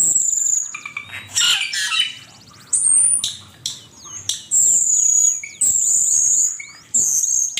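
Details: Master training recording of Asian pied starling song, with long piercing high whistles held for about a second each, broken by squawky chattering bursts and quick downslurred chirps in a lively, uneven sequence.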